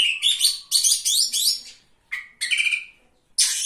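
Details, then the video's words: Third-place Oriental magpie-robin in a songbird contest delivering energetic bursts of high, scratchy warbles and clear whistled slurs, separated by short pauses before each new phrase. "KACER GACOR JUARA 3"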